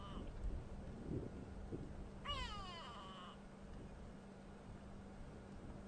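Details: Grey Go-away-bird (grey lourie) vocalizing on a windy afternoon drive at Djuma Game Reserve on 5 May 2015, as the dry season sets in: a single nasal, drawn-out call of about one second with stacked falling tones, over a low engine-like rumble and steady hum.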